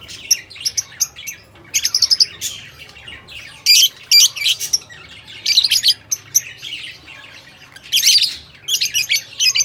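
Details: Shrill, rapid chattering from lovebirds, dense bursts of squeaky and scratchy notes running almost continuously with brief breaks.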